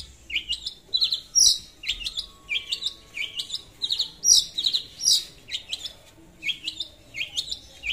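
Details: Long-tailed shrike in full song, calling a rival as a lure: a lively, varied run of high chirps and upswept notes in short bursts, some sharp and bright, delivered with uneven spacing.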